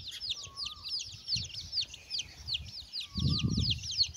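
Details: Chickens and chicks eating: constant high, down-curving chick peeps, two faint drawn-out whistles, and a low rumbling noise near the end.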